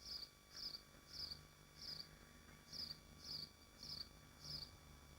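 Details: Swifts at their nest in Machynlleth, Dyfi Biosphere, recorded by a nest livestream: short, high, buzzy screeching bursts repeat steadily, eight in about five seconds, over a faint low hum.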